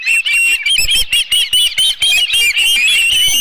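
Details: An osprey at the Dunrovin Ranch nest with a live fish, 11 July 2018 at midday, gives a quick run of high, thin whistled chirps, closely spaced and slightly upslurred, with faint low thumps beneath.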